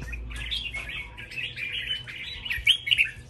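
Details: Competing red-whiskered bulbuls at a singing contest deliver tumbling, chattery warbles, busy and overlapping, peaking with a few loud clear whistled notes near the end over a low rumble.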